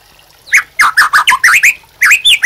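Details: White-rumped shama, song for tutoring caged birds: brief loud whistled phrases, slurred down and up, delivered in quick spaced notes.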